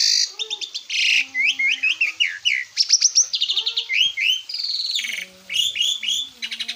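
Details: Master training track of an Asian pied starling: repeated upward-sweeping whistles in quick series, harsh buzzy bursts and short chirps, with low steady tones between phrases.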